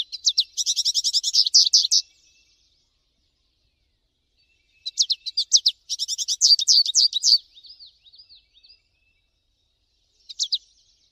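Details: Singing American goldfinch in nature: a long, loud, fast trill of high chattering notes for about two seconds, silence, then a longer twittering run ending in soft slurred whistles, and a short final chirp burst.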